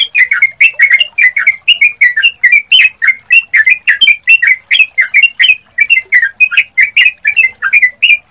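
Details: Sooty-headed bulbul song serving as a lure for other birds to answer: a steady stream of bright, slurred, chattering notes repeated rapidly and evenly throughout.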